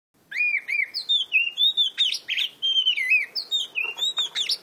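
Oriental magpie-robin singing a rich, unbroken run of varied whistles, sliding up and down with quick warbled twists and short sharp notes between.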